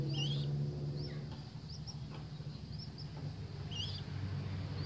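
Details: A tame baby common moorhen peeps. The thin, upswept chirps come roughly once a second over a strong low engine-like drone.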